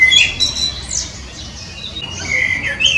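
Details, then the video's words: Common blackbird song: scattered high, squeaky and twittering notes, louder at the start and end, with a quieter gap in the middle. "Il Merlo il suo canto melodioso"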